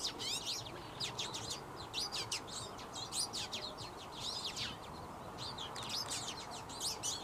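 Twite twittering in a fast, continuous run of high, chattering and rising notes, over a steady low rush of background noise.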